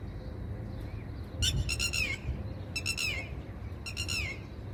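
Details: Red-wattled Lapwing parent on a rooftop nest with four chicks in Dubai in spring, alarmed by an approaching person and moving in to distract, gives three loud, shrill bursts of rapid, strident notes, each ending in a falling slur, over steady wind.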